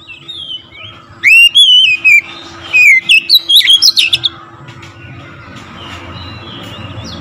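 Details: Oriental magpie-robin singing loudly to provoke other magpie-robins. Faint whistles lead into a strong burst of looping, clear whistles and rapid, varied notes, which then fades to quiet background.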